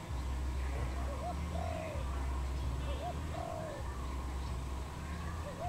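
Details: Wild dove in Cambodia, 23 April 2020: quiet phrases of two short rising notes then a drawn-out coo, repeated about three times, partly masked by a loud low hum.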